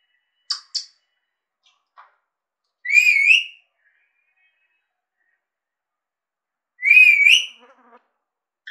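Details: A pet talking Alexandrine parakeet gives two bright, wavering whistles about four seconds apart, each under a second long, with a few soft clicks and chirps between.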